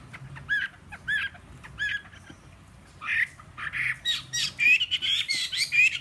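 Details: A caged Chinese hwamei, three seasons in the cage, singing on a table with a slightly hoarse voice, opens with harsh chattering notes roughly once a second, then a loud, fast run of varied rising whistles.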